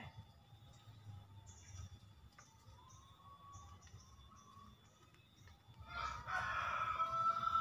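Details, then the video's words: Javan green junglefowl lure crow, used to coax wild-caught birds into calling or to trap them in forest: low background hiss and faint chirps, then a sudden harsh, buzzy crow rising near the end. "Suara Master Pikat Ayam Hutan Hijau"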